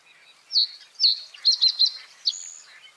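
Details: Common reed bunting delivering a simple song: two separate high notes, then three fast identical chips and a final accent, all sharp and clipped, over faint bird chatter.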